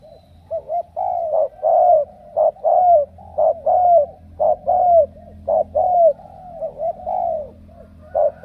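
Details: Spotted dove from Ca Mau, a wild-caught field bird picked as a strong cooer, giving mellow low coos in quick two- and three-note phrases, about one note per second, with a faint steady hum underneath.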